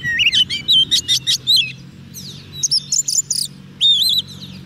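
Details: Short bout from an Oriental magpie-robin on soft food, singing to attract wild birds: rapid strings of bright whistled and chirping notes, a brief dip, then more high trills and a wavering whistle at the end over steady low hum.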